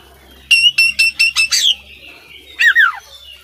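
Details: Oriental magpie-robin, a competition-contender bird on a tutor recording, gives a fast series of six clipped, harsh notes, then a short pause and two quick downward-sweeping whistles. A faint low hum lies beneath.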